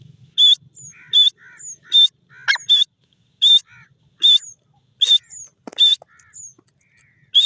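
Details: Grey francolin, or jungle teetar, giving sharp, high, clipped notes about every three-quarters of a second. Fainter, lower chattering notes fill the gaps, and there is a single click near the middle.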